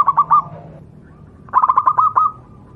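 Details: Wild local zebra dove of the Javanese type, recorded as a master song for training other doves: three quick ringing coos, a pause, then a run of about eight rapid staccato coos, with a faint low hum behind.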